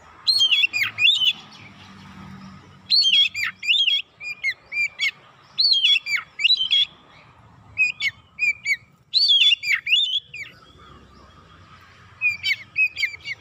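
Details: Persistent, fast oriental magpie-robin lure song used to provoke birds, unloading varied material: dense phrases of harsh notes and dipping whistles recur roughly every few seconds over a low background rumble.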